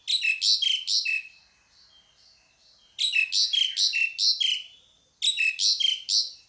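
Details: Pied myna call in three bursts, each a rapid string of five or six harsh, buzzy, rasping notes, with a short quiet gap between bursts.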